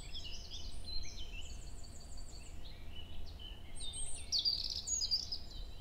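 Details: European robin in forest at Hoher Peißenberg, early May around 7 a.m., female nearby exchanging contact calls; rapid, thin high twitters and short whistled notes, ending in a denser bright burst, with constant low background rumble.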